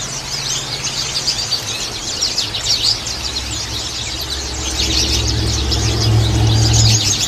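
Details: Many white-eyes twittering at high pitch in an unbroken lure chorus. A low rumble, like passing traffic, grows louder in the second half, under a steady hum.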